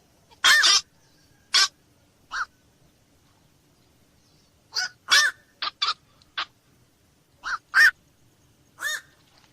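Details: Black-crowned night heron heard at night, hoarse, clipped barks delivered singly and in tight groups, with long silent gaps between bursts.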